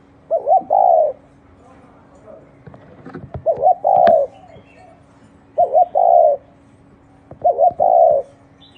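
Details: Cooing spotted dove ('thổ đồng' type): four soft phrases, each a quick double lead-in note followed by a longer hollow coo, spaced about two seconds apart, over a faint steady hum and a few clicks.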